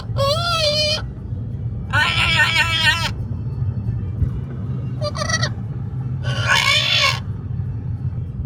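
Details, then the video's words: A pet Amazon parrot on a road trip to a brewery gives four loud, harsh, wavering squawks about a second long, one every two seconds or so, over a steady low road rumble from a moving vehicle. "the Parrot noisy"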